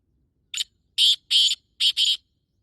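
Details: Male black francolin breeding call at 5:15 on 14 May 2024: a clipped first note, then a grating double rasp, a pause, and another double rasp, loud and dry against silence.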